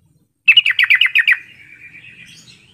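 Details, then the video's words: Yellow-vented bulbul calling to draw answers from silent bulbuls: seven fast, bright chattering notes followed by a fading, thin warble. "Suara panggilan trucukan ini mampu mengatasi trucuk yang malas bunyi jadi rajin bunyi sahut sahutan"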